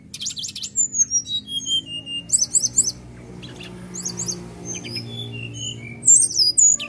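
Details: Magpie-robin singing harsh mimicked fill-ins meant to get caged birds singing: clusters of rapid zigzag trills and downslurred whistles separated by quieter gaps, with a low background drone.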